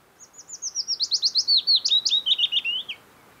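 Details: Wild Willow Warbler singing in early summer, late June or early July, near the Hallingskarvet mountains around Geilo, Buskerud County, Norway: a soft, quiet opening swelling into a clear descending cascade of sweet whistled notes, ending with a flourish, about three seconds long.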